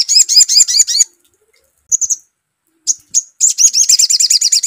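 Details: Sogon, the crimson sunbird, in an excited lure sound: a quick volley of high upswept notes, a pause with brief chips, then another fast, busy run of shrill repeated notes.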